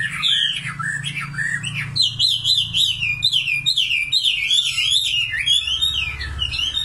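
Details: Common nightingale singing: varied phrases of rich whistles and rapid repeated notes, a run of rising-falling slurred notes repeated quickly through the middle, then sharper trills; faint low hum underneath.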